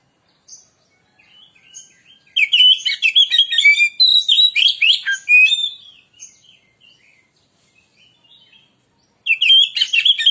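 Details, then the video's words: White-rumped shama, a lure recording for training, singing a rich, varied phrase of rapid whistles, trills and sharp chips for about three and a half seconds, then soft scattered notes and a fresh burst of bright whistles at the end. "burung Kacer pancingan suara"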